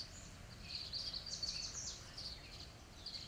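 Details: In Montreal, Canada, an adult tree swallow feeds one of three young, and the chicks give thin, high twittering begging calls in quick uneven bursts over a low steady rumble.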